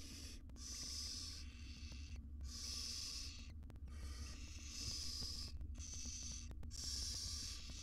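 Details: Wild barn owl mother tending her tiny chicks in an Israeli research nest box; five or six long, breathy snore-like hisses follow each other with brief silences between them.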